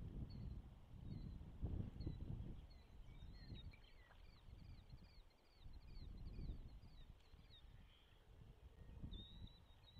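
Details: At a Charlo, Montana osprey nest at hatch time, 12 June 2024, recorded by a nest cam: a chattering string of high upslurred whistles in the middle, with fainter scattered notes before and after, all against gusty wind.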